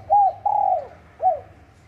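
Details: Wild spotted dove calling at Bang Bai Mai, Surat Thani, Thailand: a short arched coo, a longer drawn-out falling note, then another short arched coo. Mid-pitched and mellow, with faint low rumble beneath.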